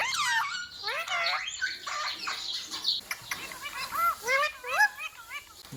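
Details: Pet ringneck parrot giving a rapid series of high, curved whistled notes, at first dense and overlapping, then spaced more widely and rising in pitch toward the end.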